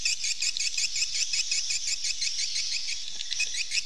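Swallows twitter in a steady, overlapping stream of high, bright chirps, several birds calling together, with a faint low rumble underneath.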